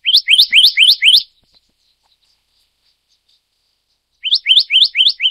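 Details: A black-naped monarch of the Taiwanese subspecies Hypothymis azurea oberholseri calls in quick strings of five or six sharp, ascending whistles, two bursts about three seconds apart, in an otherwise quiet setting.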